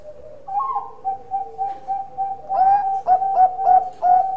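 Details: Bangkok-line zebra dove in full voice: a high opening note, then short soft coos roughly every quarter second, then a louder sequence of clipped, accented notes in quick succession.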